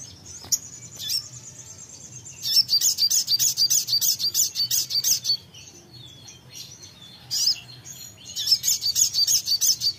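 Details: Songbird calling back after a recording is played briefly: a thin high note, then a long run of fast, sharp, repeated chattering notes for over two seconds, a pause, and a second rapid rattling burst.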